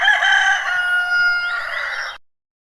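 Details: Rooster crowing, one loud sustained cock-a-doodle-doo of about two seconds, strong and steady before ending abruptly; no other sounds.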